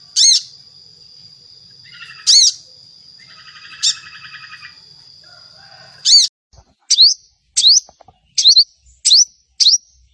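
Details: Sogon, or little spiderhunter, singing to draw other birds into song: a few sharp, piercing notes spaced seconds apart over a steady high tone, then a quicker run of short rising chips.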